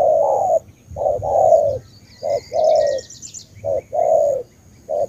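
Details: Spotted dove from Ca Mau, Vietnam, cooing in loud low phrases: a short note followed by a longer drawn-out coo, repeated in pairs; faint high buzzy insect-like trills in the background.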